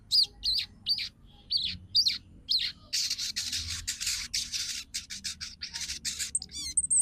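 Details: Female crimson sunbird calling for a male to provoke singing and breeding readiness; several sharp, high-pitched chirps at first, then a long stretch of harsh, rasping scratchy noise with a few tweets mixed in.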